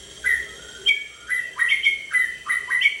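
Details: Captive white-rumped shama with a 32 cm tail, held at a dealer's premises. Repeated clear upslurred whistles come in short groups, some paired, over a faint constant hum.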